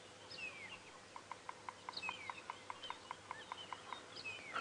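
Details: Bearded woodpecker drumming in the distance at sunrise on 27 October 2016, its territorial knocking warning other bearded woodpeckers off: a steady series of about a dozen soft knocks, roughly five per second, amid whistles and chirps of other birds.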